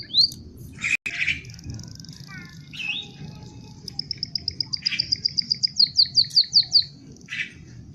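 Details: Canary song: opening bright chirps and a brief buzz, then a long, accelerating trill of crisp high notes that grows louder before ending with a single chirp.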